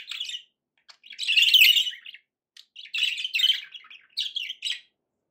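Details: Budgerigar warbling in long, rich, scratchy phrases mixed with quick chirps and squeaks, a loud continuous run near the start.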